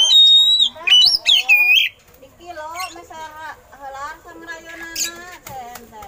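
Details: Oriental magpie-robin singing eagle-call imitations, a song used to train other birds: two seconds of loud, bright whistles and buzzy sweeping notes, then quieter lower warbling and chatter.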